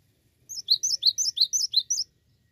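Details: Cinereous tit singing eagerly: a fast series of roughly nine sharp, high whistled notes alternating in pitch, steady and bright, with only a faint low hum behind.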